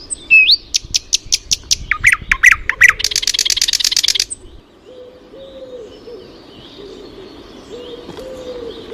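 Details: Birds singing near flowers: loud, rapid series of sharp descending chirps and a dense buzzy trill lasting about four seconds, then quieter background with soft low whistled notes and distant high twittering.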